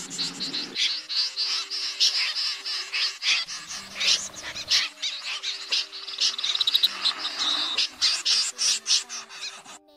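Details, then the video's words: Common snipe flock call, a 2024 version played through two speakers to lure young and adult birds into night nets in August. Dense, scratchy, high chattering notes pour out almost continuously, over low electronic hum tones. "Tiếng SÂM GIUN , Dẽ giun thường gọi"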